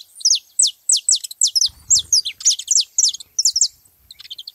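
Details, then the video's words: At a saffron finch gathering, high slurred notes fire in quick succession, loud and ringing, with a brief low rumble beneath partway through and softer twitters at the end. "festa dos canário da terra na seva"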